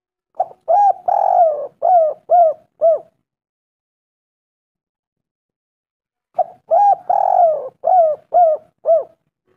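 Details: Spotted dove call played as a lure to make birds respond: low cooing phrases of about six notes, a short coo, a long rolling coo, then falling coos, repeated after a pause of about three seconds.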